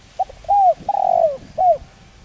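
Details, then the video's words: Spotted dove luring call for training birds: a short note, two arched coos and a long drawn descending coo, then a final curved note, clear and close. "Cu gáy Gáy Gọi giọng sát bổi kích mồi tập bổi hiệu quả/kích bổi nhanh gáy"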